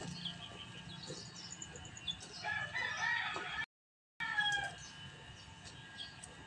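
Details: Backyard chickens at morning feeding time, a rooster crowing: a long, harsh, drawn-out crow rises mid-clip, cut by a brief silent gap, then clucking and fainter calls follow over low farmyard background noise.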